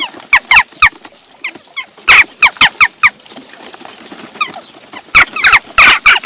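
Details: Quarrelling Western jackdaws at a feeding station in Recke, Germany, 18 June 2021; clipped chak calls in short bursts of three to five, quieter scattered notes in the middle, then loud overlapping calls at the end.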